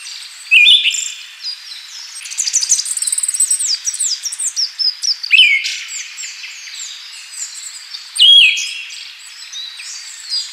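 A Siberian thrush gives loud, sliding, mid-high notes every few seconds, with a busy chatter of thin, high twittering and warbling filling the gaps.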